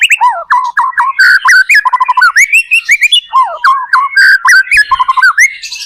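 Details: White-rumped shama song used as a lure to prompt other shamas to sing back, a rich run of loud varied whistled phrases sliding up and down, with rapid notes strung closely together and sharp clicks between them.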